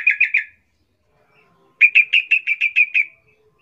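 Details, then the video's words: Sooty-headed bulbul call used to make other bulbuls answer: a short burst of three quick chirps, then a longer run of about nine bright chirped notes at a steady pace, descending slightly, in a quiet background. "10 macam suara panggilan trucukan gacor PALING AMPUH BIKIN LANGSUNG NYAUT RIBUT trucuk lain"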